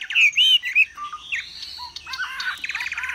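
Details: Caged Chinese hwamei kept as a songbird in Vietnam, fanning its plumage while singing high: loud clear looping whistles open the phrase, followed by sliding notes, a buzzy rattle and rapid stuttered chips.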